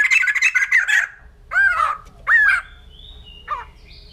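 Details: A white-crested laughingthrush starts with a fast harsh chatter, then gives two strong downslurred whistled notes and a shorter fainter one, with a thin high tone in between.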